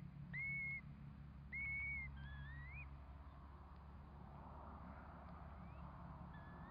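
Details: Curlew during the hatching of four chicks: two strong level whistles about a second apart, followed by softer rising whistles that fade into a low background hum.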